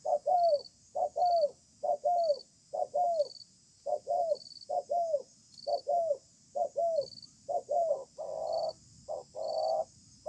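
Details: Wild-caught spotted dove calling in a contest match under a communal stilt house, sparse-paced song: a long series of low coos with downward-curving tails, about one per second, ending in flatter droning coos, crickets pulsing above.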